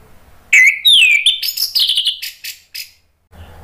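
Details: Lure song of an orange-headed thrush, ngeplong style, meant to get other birds answering: a loud run of sweeping, descending whistles flowing into a rapid train of rough, buzzy notes that fades out.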